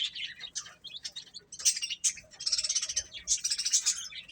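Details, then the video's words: Baby chicks eating, loud bright peeping chirps in rapid clusters, some sharp and piercing, several birds calling at once. "Cute Chicks Chirping Sounds"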